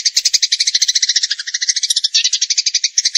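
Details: Eurasian tree sparrow delivering a clean, unbroken series of rapid high chirps, roughly eleven per second, bright and slightly buzzy, in full tembakan style.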